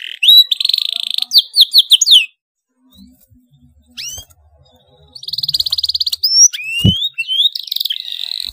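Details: Canary singing an excited, dense rolling song meant to prompt other canaries to sing along: rapid buzzy trills near 4k, quick rising whistled sweeps, pauses between phrases, and a brief low thump.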